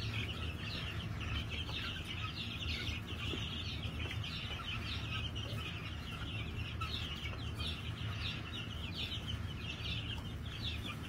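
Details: New Hampshire chickens on a farm, 22 March 2021: a steady, dense chatter of many short, high chirps and clucks overlapping throughout, with a constant low rumble of background noise.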